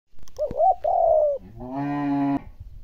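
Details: Spotted dove coo played to stimulate cooing in the most reluctant decoy birds: a rising-falling two-note lead-in, then a long steady hooted note, followed by a separate harmonic-rich buzzy note lasting under a second.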